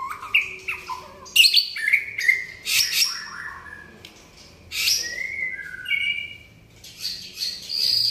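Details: White-rumped shama singing actively: a varied run of clear whistled notes, some held and level, some sliding up or down, interspersed with sharp high chips and brief buzzy bursts, pausing briefly midway before resuming.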